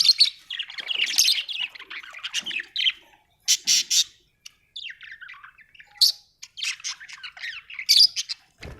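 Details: Budgie chatter, a run of scratchy, buzzy chirps and squawks in clustered bursts with brief silences between, all high-pitched and rapid.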